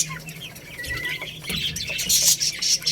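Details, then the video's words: Baby chickens feeding on rice chirp in quick high peeps, including a brief clear whistled note and then a louder burst of shrill chirps near the end. "Beautiful Little Chicks Chirping Sounds | Cute Baby Hen Eating Rice"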